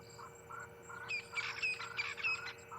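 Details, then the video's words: Crested francolins calling on an afternoon game drive at Ngala Private Game Reserve, South Africa, in April: harsh, rattling, repeated chattering bursts in rhythmic phrases, with a faint thin whistle running through. "So you can hear mainly the francolins calling, the crested francolins."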